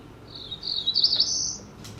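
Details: Cerulean warbler song played on a speaker during a West Virginia forest birds talk; this species stays high in the canopy. Thin, high buzzy notes build into a rising trill over about a second, over low room noise.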